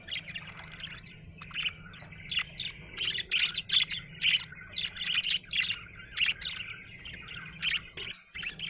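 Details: Happy budgerigar chirping: a busy run of short, bright chirps and warbled twitters, closely spaced with brief pauses, continuing steadily for about eight seconds before a short break and more chirps.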